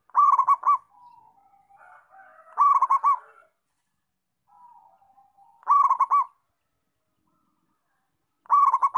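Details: Local zebra dove in active song, giving four loud rolling coo phrases about every three seconds, each a quick pulsed bubbling burst, with softer trailing notes between phrases.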